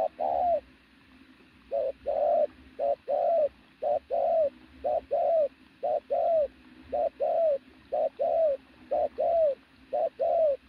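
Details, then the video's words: Steady run of loud pigeon cooing: about a dozen short-then-long note pairs, each longer note bending downward, repeated roughly once per second with few gaps. "bổi thổ bồ câu tướng lực sĩ,,Gù âm to cực tốt"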